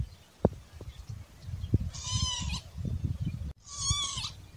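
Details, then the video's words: Spur-winged lapwing giving two harsh, strident calls, each about three-quarters of a second, with a nasal, grating tone, over a low rumbling background with occasional knocks. "صوت الطيبت او الدحروج او الزقزاق الشامي"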